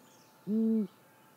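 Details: Female great grey owl at her nest, recorded by nest camera at 6:19 in the morning on 28 May 2017, giving a single low, even hoot lasting under half a second against quiet background.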